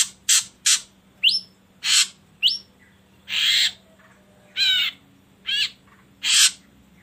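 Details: Ashy drongo song used as a lure to set other birds singing: a lively series of short rasps and rising whistled slurs, then longer harsh notes and one wavering harmonic squawk, with faint background hum.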